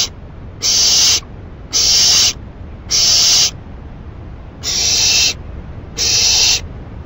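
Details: Nighttime owl receiving a rabbit as food, May 28 2012; six loud rasping hisses in a steady series, roughly one per second, with quiet gaps between.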